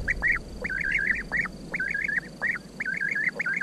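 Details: European bee-eaters giving liquid, rolling trills, each phrase a string of quick wavering notes, repeated in steady bursts about every half second, several birds overlapping over a low background hum.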